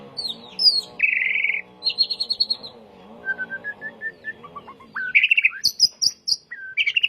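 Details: White-rumped shama song used to train caged birds: varied whistled phrases, including a sustained buzzy trill, evenly spaced rising whistles and sharp high notes, over a steady low droning background sound.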